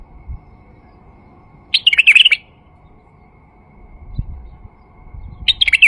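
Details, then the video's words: Male white-eared bulbul song to encourage other bulbuls to sing: a bright, fluty warbled phrase, then a second one starting about four seconds later as the recording ends. "تغريد بلبل فحل لفتح البلابل القافله"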